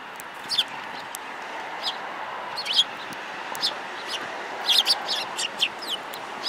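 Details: Sparrows recorded February 5, 2018, one with a yellow beak; soft scattered chirps early, then a brief lively run of several high notes near the fifth second, over a constant hiss.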